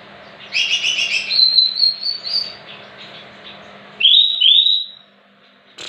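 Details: Greater green leafbird song used as a lure to make other leafbirds respond: a rapid double-toned warble sliding into long high whistles, then two loud upswept whistles after a pause, over a low hum.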